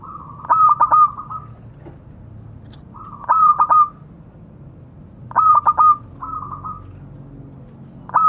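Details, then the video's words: Zebra dove of a local strain, a frequent caller, calling to others: four bright cooing phrases spaced about two and a half seconds apart. Each is a quick stuttered cluster of notes that fades into a softer trilled tail. "Suara burung perkutut memanggil kawan."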